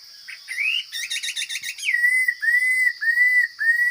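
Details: Chinese hwamei, forest bird, singing strongly. Rising whistles lead into a rapid stuttering trill, which gives way to drawn-out, level whistled notes. A continuous faint high hum sits underneath.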